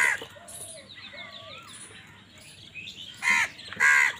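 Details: Crows fighting with other wild birds for food: two harsh, loud caws near the end, preceded by softer whistled, slurred calls of other birds over a steady background hiss.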